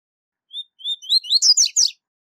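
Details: Single loud 'tui tui zel zel' phrase from a double-collared seedeater used to teach young birds: sliding whistles lead into a rapid, harsh, buzzy series of rising notes.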